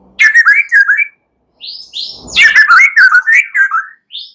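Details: White-rumped shama song used at night as a lure to encourage singing: warbled whistled phrases, a short silence, two higher slurred notes, then a fast varied stream of fluty whistles.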